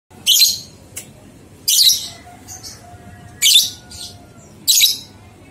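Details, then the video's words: Lovebird ngekek song, a training recording to get two-month-old young lovebirds singing: four loud, harsh, high chattering bursts, each under half a second, spaced one to two seconds apart, with faint softer chirps between. "Masteran Lovebird Paud 123 Ketukan Terbukti Ampuh Merangsang balibu 2 bulan Ikut Ngekek"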